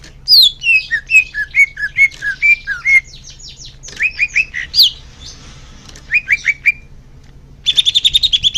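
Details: Greater green leafbird song for encouraging caged birds to sing: varied falling and rising whistles in quick succession, short downslurred groups, ending with a fast buzzy trill.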